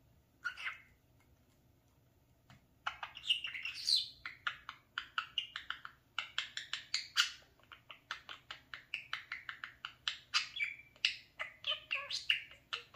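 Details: Talking pet parakeet absorbed in its mirror indoors; after a brief chirp and a pause, a long, lively stream of rapid clicks, chirps and squeaky warbles runs on for ten seconds.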